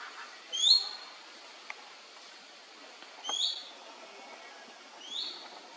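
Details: Male black-naped monarch recorded on 1 May 2024 at a national park ranger station at Khao Phu Phlu, Phetchaburi, Thailand: three clear, high, rising whistled notes, each short and sliding upward, spaced about two to three seconds apart over quiet forest background.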